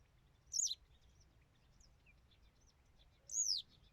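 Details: Western yellow wagtail giving a short high chirp, then after a pause a longer thin downward-sweeping whistle; faint soft twitters in between.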